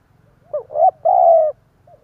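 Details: Spotted dove, a decoy bird calling to provoke wild doves. One stammered coo phrase rises in a hook, breaks, then holds a long even coo. A low steady hum sits underneath.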